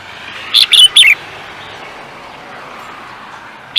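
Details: Contest songbird giving one quick phrase of three sharp, high, falling chirps, followed by quiet hiss and the start of another note at the very end.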